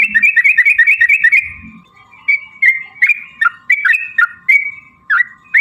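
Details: Lure recording of a yellow-vented bulbul meant to trigger singing and fighting: a quick run of gurgling, bouncing notes opening the sequence, followed by separated rich chirps and short warbles, with a constant faint tone beneath.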